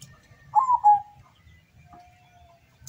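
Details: Local zebra dove from Windusari, Magelang, singing at a contest in Semarang Regency, Central Java, Indonesia: a single cooed phrase that drops and ends in a short trill, then a faint long whistle and quiet.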